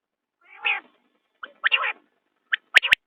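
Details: A common quail makes a rough, meow-like note, then a drawn-out, nasal phrase, and finally a sharp whistle followed by a quick triple of bright, clipped notes. The surroundings are quiet.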